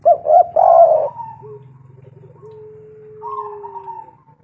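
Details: Local spotted dove calling as a lure to attract other doves: a quick burst of throaty, rolling coos followed by softer, drawn-out lower notes and a long fading coo, over a steady low hum.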